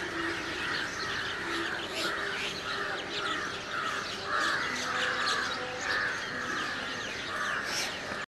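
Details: A chorus of house crows (Corvus splendens) and large-billed crows (Corvus macrorhynchos) at Valparai: many harsh overlapping caws rising and falling continuously, with a few higher chirps mixed in.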